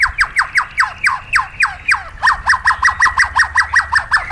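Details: Caged white-rumped shama in wild-style song training repeats sharp descending whistled notes about four per second, then a faster steady series of similar clipped notes.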